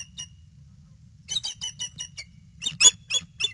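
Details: Female bald eagle standing up on the nest and calling on alert, nest cam, 22 February 2016, 5:50 PM; a faint note, then two runs of high stuttering squeals, the second louder and harsher, over low hum.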